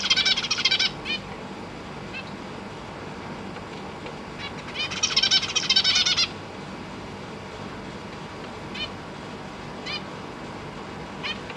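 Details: Captive zebra finches in a big cage, parents with three juveniles and three newly fledged babies, parents busy feeding young: two loud bursts of rapid buzzy, harmonic calls about a second each, with scattered short chirps between, over a faint hiss.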